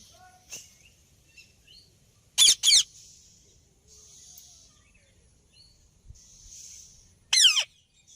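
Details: Rose-ringed parakeet screeches: a loud double harsh burst followed later by a single descending screech, with soft chirps and twitters from other birds scattered between.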